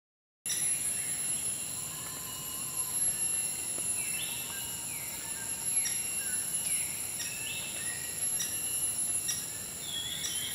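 Maroon Woodpecker giving short, sharp, slightly falling notes at uneven intervals, about one a second, over a steady high whine of forest insects.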